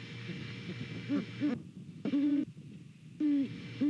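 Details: Great Horned Owl pair hooting to each other while inspecting a nest in Savannah, November morning; a few low hoots early, then two louder sets of deep hoots around two and three and a half seconds, over a low hum.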